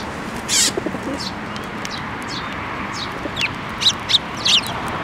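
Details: Eurasian tree sparrows gathering to be fed at a Tenmangu shrine on 7 May 2024, the year's first fledgling among them: short, sharp high chirps, singly and in quick pairs, over steady background hiss.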